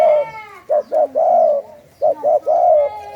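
A spotted dove coos a soft, mellow phrase twice: two short notes, then a longer drawn-out coo. A faint whistled tone comes first.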